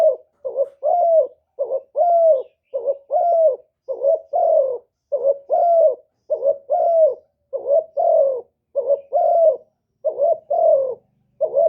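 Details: Decoy spotted dove used to provoke wild doves, '1 hậu' style call. Around twelve steady two-part coos, a quick upswept note followed by a drawn-out descending coo, repeated with almost no break.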